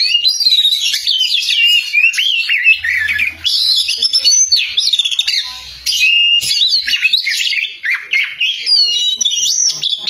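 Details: Loud, energetic Oriental magpie-robin song: rapid varied whistles and warbling runs, repeated bursts broken by short gaps, with a faint low hum in places.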